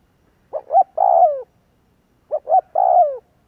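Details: Spotted dove cooing, used as a lure call to trigger other doves to coo: two short low coos followed by a longer, falling, slightly rough coo, the three-note phrase given twice about two seconds apart, clean background.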